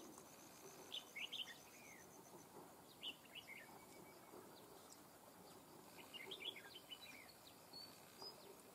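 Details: Wild Red-whiskered bulbul at a trap, fighting with a caged bird, jumping and fanning its tail, with a fine wild voice: short, quick, sweet whistled phrases in bursts, several seconds apart, over steady rustling background noise.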